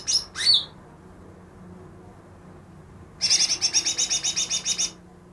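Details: Recently trapped greater green leafbird that reportedly imitates ten other birds: two sharp high downslurred notes, then after a pause a fast run of about a dozen grating high notes lasting nearly two seconds.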